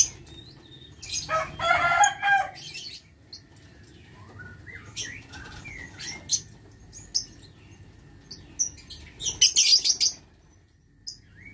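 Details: Lovebirds in a breeding aviary, 6 November 2022: a burst of flapping wings and rustling, then scattered twittering squeaks, ending in a cluster of harsh shrieks.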